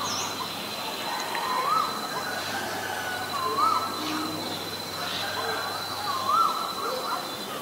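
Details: Asian koel (Eudynamys scolopaceus), male and female shown, giving short, rising whistled notes about every two seconds, faint against a steady high insect-like whine and broad background noise.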